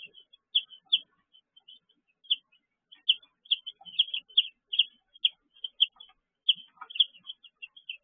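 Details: Brooder of baby chicks, 6 pm, 19 June 2023, giving steady high-pitched peeps, loud single chirps spaced roughly half a second apart among softer ones.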